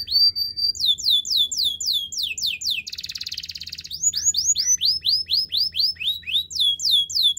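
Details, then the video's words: Canary singing a training song: steady high tone, then repeated rising curved whistles, a softer fast rattling trill, and more looping whistled notes repeated rhythmically. "The best canary sounds!! Canary training"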